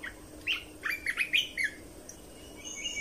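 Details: Red-whiskered bulbul song for training young birds and rousing birds: quick, bright whistled notes in a jaunty cluster of about seven, each slurred, followed by a softer high thin whistle, faint hum in background.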